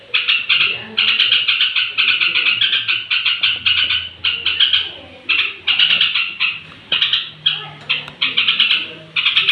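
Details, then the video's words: Yellow-vented bulbul song delivered before roosting to excite rival bulbuls: rapid bubbly, warbling bursts in quick succession, each lasting under a second with short gaps, over a faint low background hum. "suara trucuk menjelang tidur ampuh naikkan emosi trucuk lain"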